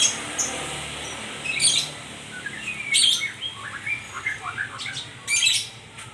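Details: White-rumped shama singing lively phrases of harsh high chatters followed by quick series of rising and falling whistled notes, repeated over several seconds.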